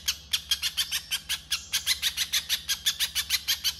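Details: Rough masteran of a little spiderhunter's 'konslet' chatter: harsh, rasping notes, slightly uneven, about five per second, with a brief break mid-run, and a low hum underneath.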